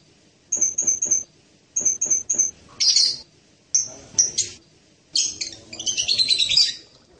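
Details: Serindit, or blue-crowned hanging parrot, giving thin high ticking notes in quick triplets, then harsher screechy bursts that end in a rapid shrill chattering phrase.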